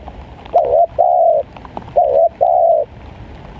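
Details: Spotted dove coos during rainy-season bird luring, as the birds refuse to come down: a short double note followed by a longer, even coo, given twice, with a soft rural background.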